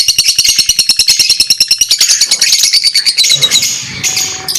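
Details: Lovebirds chirping: a rapid, regular train of sharp high chirps, about three per second, overlaid with shrill, buzzy chatter that becomes denser and squeakier toward the end.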